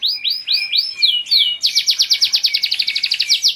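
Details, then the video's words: A caged Spanish Giboso canary gives looping arched whistled notes, then two drawn-out swoops, followed by a rapid high rolling trill of evenly spaced notes. "صوت تغريد جميل للكناري"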